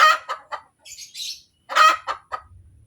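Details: Hen cackling after laying an egg: two loud rasping clucking bursts, each breaking into quicker short clucks, with high chirps from other birds in the pause between.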